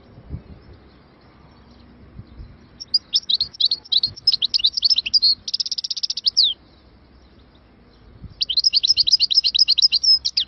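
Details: Algerian goldfinch in Moknine, 2022, bursting into song after a quiet start: lively twittering phrases, a dense buzzy trill midway, a short pause, then renewed rapid high chattering to the end.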